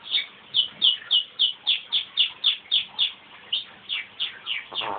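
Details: Male crossbred pet canary singing heartily after his owner starts him off with a whistle; a fast, even series of about eighteen short, bright, downward-sweeping chirps, nearly four per second, with a slight fade toward the end.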